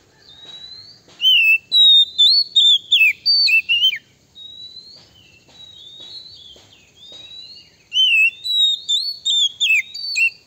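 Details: Lure song of a male Oriental magpie-robin, used to make rival males angry. A run of about eight loud, rapid, high whistles, then softer twittering, then another fast burst of bright slurred whistled notes.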